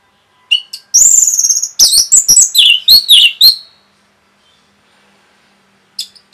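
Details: Orange-headed thrush delivering rapid song to rouse other birds: a sustained high shrill whistle followed by about two seconds of fast, loud, slurred and downward-sweeping notes, then quiet and a last short note.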